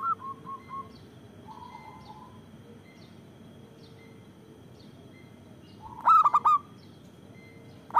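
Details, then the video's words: Loud local zebra dove, a lure and prompt for doves slow to call: faint short notes and a soft purr, then after a quiet pause a sudden bright burst of four resonant coos. "Perkutut lokal gacor Suara Besar Bagus Untuk Pikat dan Pancingan"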